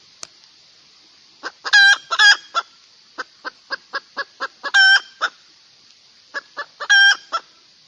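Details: Female chicken cackling in search of a rooster: runs of short clucks, each building to a loud, drawn-out harsh squawk, the pattern repeating three times.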